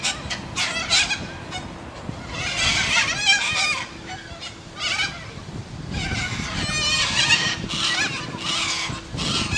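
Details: Australian white cockatoos calling: harsh, raspy screeches in ragged bursts of a second or two, several overlapping, with brief quieter gaps between and a faint steady hum underneath.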